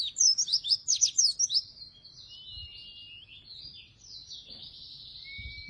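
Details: Oriental white-eye in full, constant song, used as a lure and as a tutor for white-eyes reluctant to sing: a burst of loud, very high, rapid chirping notes for about a second and a half, then softer thin twittering and a long faint whistle.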